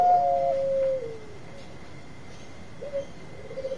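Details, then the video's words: Zebra dove of the Bangkok type, used as a lure, gives a pair of clear, held coo notes that fall and fade. After a pause, a short, softer rolling phrase follows above a thin background hum. "Perkutut Bangkok Gacor Suara Untuk Pikat Cepat Nyaut Bunyi"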